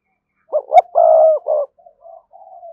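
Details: Spotted dove used as a decoy to make other doves coo, delivering a single mellow phrase of two quick notes, a long drawn-out coo and a final note, then three soft fading coos.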